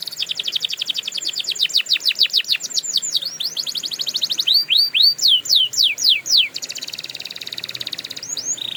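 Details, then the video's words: Canary song offered for training canaries: fast rhythmic trills of rapid repeated notes, then loud sweeping downward-slurred whistles in a steady series, ending in a buzzy high trill and short rising notes. "Canary Owners Love This Trick – Endless Singing Guaranteed!"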